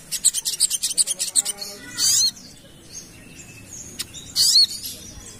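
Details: Ruby-cheeked sunbird lure song for calling in other birds: a quick run of high, sharp chips, then two loud bursts of squeaky, tumbling twitters with a short pause between them.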